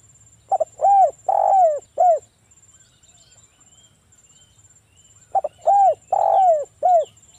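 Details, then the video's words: Local spotted dove (tekukur) with a loud, mellow voice, used as a lure to get silent doves calling: two phrases of four to five rounded, hollow coos, the middle note drawn out, separated by a pause, with a faint steady whine. "TEKUKUR GACOR suara merdu - PANCINGAN TEKUKUR AGAR BUNYI"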